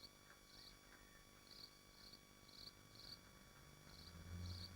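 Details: Nest-box livestream of swifts at Machynlleth in the Dyfi Biosphere: a rapid run of short, high, scratchy screech notes, roughly eight in under five seconds, with a low rumbling thud near the end.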